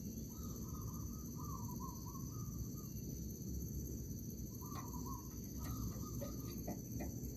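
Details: Zebra dove in an oil palm plantation, being lured for trapping, gives soft, rolling, warbled coos in two bursts, with a heavy low rumble and a steady high insect-like whine throughout.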